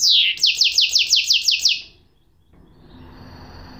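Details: Goldfinch hybrid (mulet) singing: a fast run of about eight bright, downward-slurred notes packed into under two seconds, followed by near silence with faint background hiss.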